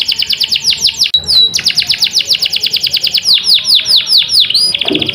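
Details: Canary singing a fast, dense run of repeated high chirps and trills, with rapid downward-sweeping notes in quick series, a brief pause near one second, then steady rolling phrases to the end.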